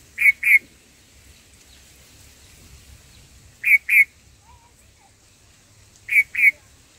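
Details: Black-headed bulbul feeding nestlings: a paired burst of two harsh, buzzy notes, repeated three times at intervals of roughly three seconds, against a quiet background.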